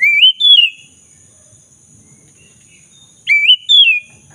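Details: Black-throated magpie-robin song used to coax a silent bird back into singing: two rising-then-falling whistled phrases, each a pair of slurred notes, separated by almost three seconds of quiet with a faint steady hum.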